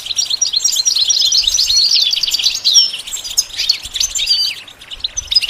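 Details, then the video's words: Goldfinch singing a fast, tinkling medley of high chirps, slurred whistles and rattling trill phrases, loud at first and softening toward the end. "The basics of training the goldfinch to sing"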